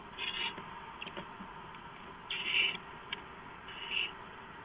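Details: Barn owl at its nest during a night-time gopher delivery, 2 April 2015 at 11:43 PM: three harsh, hissing screech bursts, the middle one longest and loudest, with faint shorter rasps between them over steady background hiss.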